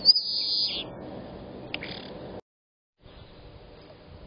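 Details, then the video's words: A common starling flapping its wings gives one harsh, high, rasping call under a second long, then a brief scratchy note over faint hiss; Berkshire, UK, 22 March 2022. "Starling flapping its wings and calling"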